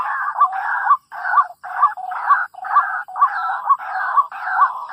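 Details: Trapping with a lure draws a chorus of white-breasted waterhens: long harsh grating bursts overlap with sharp upswept notes repeated about twice per second, with short gaps between the bursts.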